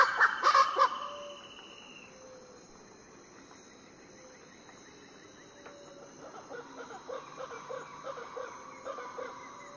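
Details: Variable Chachalacas calling before dawn on Foengoe Island, Suriname: a loud burst of harsh, raucous cackles, then softer choppy clucking notes, over a steady high insect whine.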